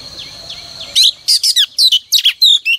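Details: Morning song of a female oriental magpie-robin kept as a decoy to excite males: soft repeated downslurred notes at first, then a crisp run of loud whistled and chirping syllables.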